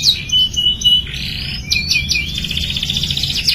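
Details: Canary singing as training for young canaries: short high chirps and a held whistled note, then varied slurred notes stepping in pitch and a continuous rolling high trill.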